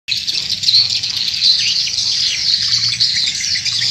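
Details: Swiftlets on a lure recording used in Indonesian swiftlet farming: a dense, unbroken chorus of high, buzzy chirps and twitters overlapping continuously, with brief sharper whistled notes standing out near the middle.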